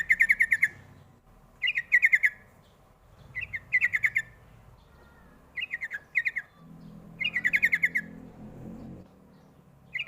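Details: Calls of a sooty-headed bulbul used to lure young birds to respond: short, chattering bursts of quick bright notes repeated roughly every one to two seconds, with low background noise between.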